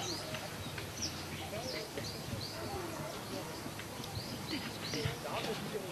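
Yellow-rumped flycatcher giving high, arched whistled notes about once a second, over steady outdoor noise with faint voices.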